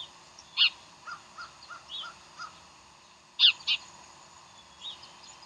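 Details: Decorah bald eagles on a January 15, 2012 morning: a piercing high squeal, a series of softer, lower, evenly spaced notes, then a loud pair of shrill cries and a fainter note near the end.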